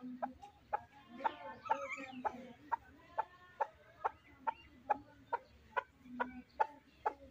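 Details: Chukar partridge kept for fighting, calling with sharp, evenly spaced chuck notes, a little more than two a second, over a soft background murmur.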